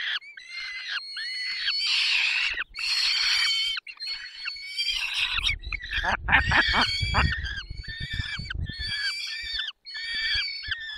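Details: Peregrine falcons being fed in the Barycz Valley, Poland, on 20 May 2021: loud harmonic wailing calls from several birds, with a stretch of low rustling and scuffling in the middle.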